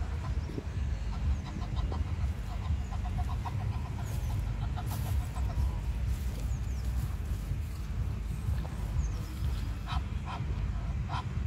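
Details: Egyptian goose pair in a park, the male very chatty: a long run of short, hoarse, evenly repeated calls, about two per second, over steady low wind or traffic rumble, with thin high chirps from small birds.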